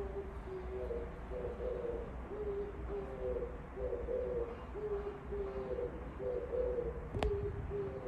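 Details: Oriental turtle dove singing just outside a window: a steady series of low, throaty coos in paired phrases, repeated throughout, over a constant low hum, with one sharp tap near the end.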